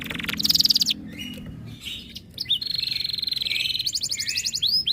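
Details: Breeding-condition canary, said to grow fierce on hearing other birds, gives buzzy high trills and a long rapid rattling roll, with some low noise at the start.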